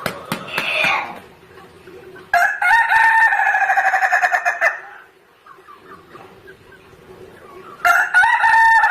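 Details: Ayam Ketawa rooster crowing in three bouts: a brief opening, then a long rattling series of fast pulses lasting over two seconds, a quiet gap, and a fresh loud start at the end.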